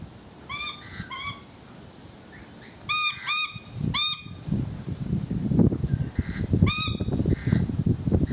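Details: On a balcony, rainbow lorikeets utter loud, nasal, honking calls in quick pairs and short runs, with gaps of rumbling noise between bursts.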